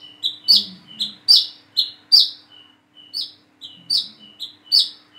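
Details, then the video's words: High, sharp, downward-sweeping chips from a plain-throated sunbird learning to sing, each with a brief thin lead-in whistle, given at roughly 72 per minute in an uneven rhythm. "PANCINGAN SUARA BURUNG WICEH KOLIBRI KELAPA BIAR BISA WICEH WICEH"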